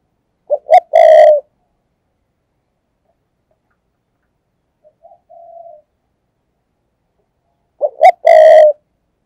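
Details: Lure spotted dove giving thúc gù coos to attract wild doves. Two loud three-part phrases, each two clipped notes and a held throaty coo, come about seven seconds apart. A faint, softer coo falls between them.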